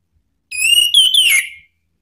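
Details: Male Orange-headed thrush singing in the full ngeplong style, a lure sound meant to provoke other birds to sing: one bright whistled phrase of about a second, sliding level then dipping, rich in overtones, in an otherwise quiet setting.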